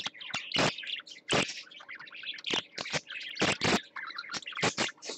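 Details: Parakeet on swings, filmed live: short high chirps and twittering notes scattered between loud sharp clicking knocks, irregular and lively.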